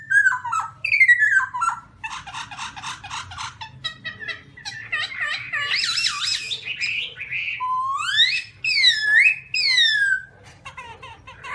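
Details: Black-throated laughingthrush singing on a rocky mountain, recorded 2016: a rich, varied run of descending whistles, rapid chattering trills, harsh squawky bursts and looping slurred notes, over a faint low hum.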